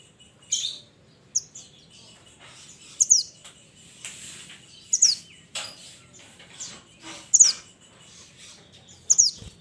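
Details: Calls of a mountain minivet summoning its companions: a steady series of high, thin, sharply falling chirps repeated every second or two, with fainter chirps in the background.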